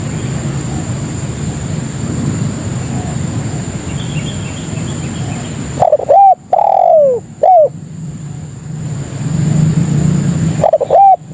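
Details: Lure call of a spotted dove, used to draw in other doves: a loud three-note cooing phrase with a drawn-out sliding middle note, then the start of another phrase near the end, over low rumble and a constant high tone.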